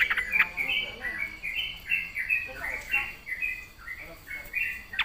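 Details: Yellow-vented bulbul singing vigorously in the gacor style with full isian: bright chirps and short warbled phrases around the upper-middle register, tumbling in quick irregular bursts, with a faint background murmur.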